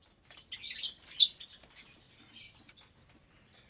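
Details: Lovebirds in a shared breeding aviary, about 25 parblue, euwing, opaline, lutino and albino birds, at meal time: a couple of loud shrill squawks, then softer intermittent chirping.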